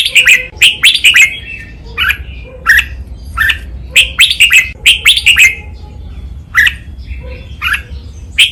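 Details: Red-whiskered bulbul master song for training, double counted-phrase 'lak wai' style: a lively, continuous series of loud bubbling whistled phrases and single chirps, repeated every second or so, with a faint low hum behind.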